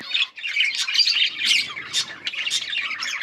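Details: Yellow budgies, recorded on August 20, 2024, keep up a lively chatter of harsh squawks and quick chirps, high-pitched bursts arriving roughly twice a second over a constant twittering background.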